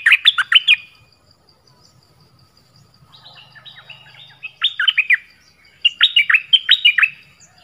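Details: Singing Dok Taeng bird with varied phrases: short flurries of bright, swooping notes separated by pauses, with a faint softer twittering and a low buzzing hum in between.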